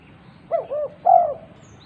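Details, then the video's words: Vocal female spotted dove calling to other doves: one low three-part phrase, two short arched hoots followed by a longer, louder drawn-out coo, over a soft low background hum. "Tekukur betina gacor memanggil tekukur lain"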